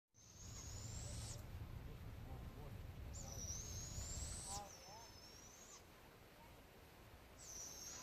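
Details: Two young barred owls in The Villages, Florida, give long, thin, hissing screeches, each about a second, in a slow sequence; low rumbling wind or handling noise underlies the first half.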